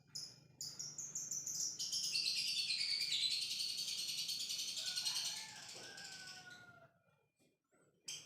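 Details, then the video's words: Lovebird ngekek, a lure meant to set other lovebirds chattering; a long, unbroken, high buzzing chatter swells after a few short starts, holds for several seconds, then fades, with a few thin whistled notes near the end. "pancingan love bird biar ngekek"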